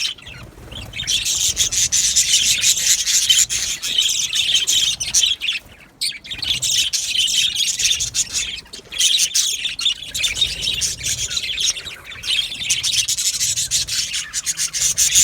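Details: A large aviary colony of budgerigars fills the air with continuous, raspy chirping and warbling, many birds calling over one another with only a few brief quieter moments.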